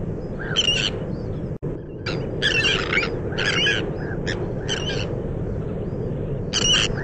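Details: Sandwich terns calling at a breeding colony on the bird island of Texel: harsh, grating broadband calls in bursts, several birds overlapping, over steady low wind rumble.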